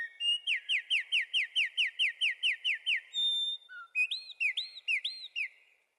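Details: Wren song: a loud run of about a dozen quick descending chirps, evenly spaced, followed by a brief high whistle and several rising-falling looped notes.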